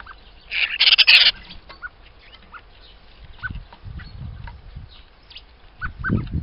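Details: Common starlings, described as relatively peaceful today, recorded on 28 February 2023: one loud, harsh rasping screech near the start, then short scattered chirps over low rumbling background noise.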